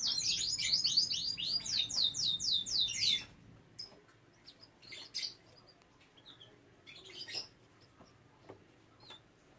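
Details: Bred domestic canary, kept with young canaries, opening with three seconds of bright, rapidly repeated swooping whistles, then quieter scattered thin chirps.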